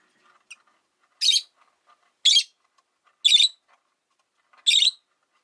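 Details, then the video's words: Rosy-faced lovebirds, five kept together in a cage by a window, give four harsh, buzzy chirps spaced about one second apart, each a short broadband burst, with quiet pauses between. "Lovebird Chirping Sounds"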